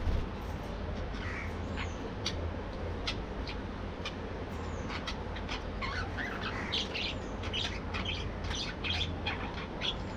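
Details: Morning activity of a budgerigar colony kept in an aviary for breeding; many rapid, sharp clicky chirps and warbled notes overlapping throughout, with a few thin descending whistles, steady low background hum.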